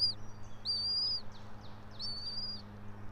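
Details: Bald eagle pair at their nest atop a pine tree about 90 feet up in Johnson City, Tennessee, on a nest camera at 06:28 on 3 April 2024; high, thin, level whistled notes with a downward flick, three in a row, over a low steady hum.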